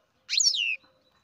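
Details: Baby European goldfinch, captive-bred, giving a single bright, slurred call that sweeps downward, lasting about half a second in a quiet room.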